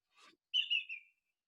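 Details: Greater Yellowlegs, a migrant sandpiper seen in wet meadows and along the Yampa River near Steamboat in April–May and September–October, gives a startled-sounding, ringing, slightly falling whistle of about three quick notes run together, after a brief soft rustle.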